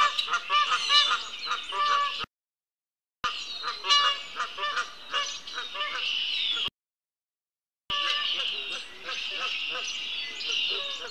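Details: Two Canada geese heading past a patio toward a pond on a March afternoon, giving continuous nasal honking calls in dense overlapping series, separated by two brief silent breaks.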